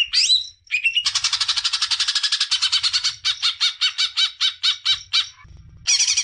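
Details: Greater green leafbird singing to spur juveniles: a few squeaky rising whistles, then a long rapid stream of buzzy notes that slows into spaced chips, ending in a harsh chatter.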